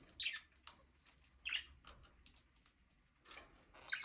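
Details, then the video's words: Budgerigars in an aviary give bursts of scratchy, high chirps and chatter, several short notes within four seconds, separated by brief quiet gaps. "Budgies chirping sound"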